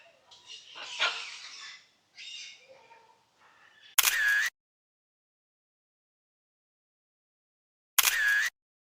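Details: Scarlet macaw at a rescue sanctuary in Copán Ruinas, Honduras, in the morning, giving two harsh, raspy squawks about four seconds apart, each half a second long, after a man talking.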